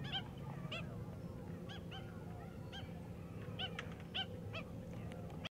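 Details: Australian pied oystercatcher hunting amongst seagrass wrack in the shallows of Peel Inlet, south of Perth, Western Australia, giving short, sharp piping notes about every half second to a second over steady surf and wind roar.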